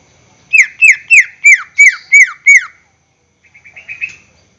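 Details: Greater green leafbird song played as a lure for caged birds: seven loud, sharply falling whistled notes in a steady series, followed after a pause by a softer twittering phrase.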